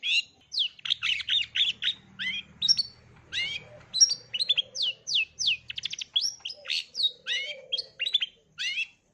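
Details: Long-tailed shrike singing its full repertoire, offered as a model for young birds learning sounds: a fast, unbroken run of varied chirps, short rising sweeps and rapid trills, many notes repeated in quick bursts, with a faint low hum beneath.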